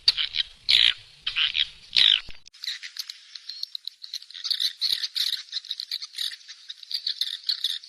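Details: Swiftlet sound made for swiftlet farmers in Indonesia: three loud buzzy chatters at the start, followed by a softer continuous run of quick high twittering notes.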